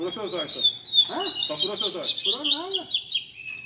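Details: A caged double-collared seedeater at a Sunday-morning gathering of keepers sings a long high whistle followed by fast, scratchy, descending trill notes, with men chatting underneath.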